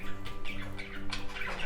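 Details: A pet budgerigar, normally very noisy, in an indoor bird room chatters in quick, scratchy chirps and squeaks, several bursts in under two seconds, over a steady low electrical hum.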